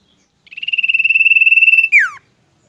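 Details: Kept Common Iora from Indonesia giving one song phrase: a steady, rapidly pulsed high whistle that ends in a sharp falling slur, in a quiet background.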